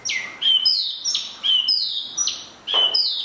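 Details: Spot-throated babbler singing a repeated high whistle that drops sharply in pitch, about once a second, with each note clear and ringing over a quiet background.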